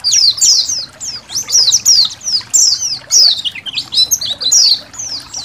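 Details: Training recording of Indonesian white-eye song: lively, high-pitched chattering whistles falling in pitch, in bursts just under a second apart, over a soft trickle of water.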